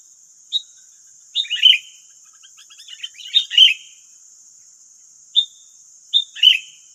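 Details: Nine wild sooty-headed bulbuls reacting to one decoy in West Lampung, Indonesia: clear single whistled notes alternating with short gurgling chirp clusters, answered back and forth over seven seconds, a constant high hiss behind.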